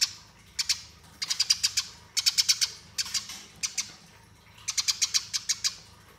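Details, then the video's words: Eurasian tree sparrow, fighting song for master training, in repeated rolling bursts of fast, harsh high chirps, four to seven notes each, spaced by brief pauses. "Masteran Gereja Tarung Ngeroll Abis"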